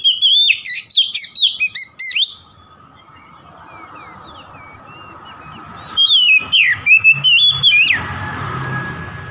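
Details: Oriental magpie-robin song played to provoke an opponent: a quick two-second volley of bright whistles and chirps, a near-silent gap, then a second whistled burst ending in a rustle.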